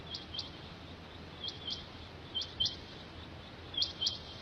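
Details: Rain quail (Coturnix coromandelica), call.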